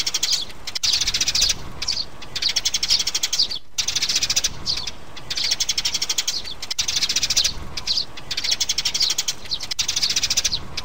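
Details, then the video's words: Mother and chick sparrows, played to lure birds into traps: regular bursts of rapid, high chirps, each about one to two seconds long, with short breaks between them. "Tiếng bẫy chim sẻ Sẻ mẹ, sẻ con"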